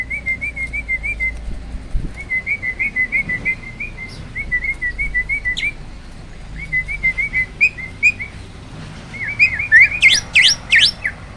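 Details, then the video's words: Hybrid starling, a cross of Asian pied and black-winged starlings, kept in captivity and singing "roll tembak" tutor song. Many phrases of quick whistled notes are followed near the end by sharp, rising squeals. "BURUNG JALAK HYBIRD || GURU VOKAL SUARA ROLL TEMBAK."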